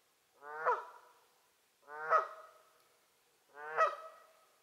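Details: A Canada goose at Lower Huia Dam on 27 August 2018 gives three loud, nasal honks, each rising then falling, spaced about every one and a half seconds, with a quiet background.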